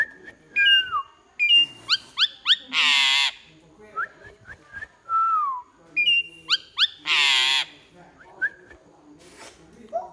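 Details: Asian pied starling in full song, mixing clear flat and falling whistles with upward slurs and two long, loud, harsh buzzy notes, in a lively varied sequence.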